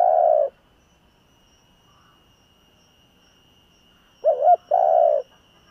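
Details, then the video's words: Spotted Dove kept as a decoy, cooing in the "giọng thổ" voice style to lure wild birds. The end of one long hoot opens the recording. After a silent pause comes a full phrase: a wavering double note, then a sustained low coo. "Tiếng cu gáy giọng thổ gáy gọi kích bổi / Cu gáy giọng thổ / Cu mồi giọng thổ gù gáy kích bổi chuẩn"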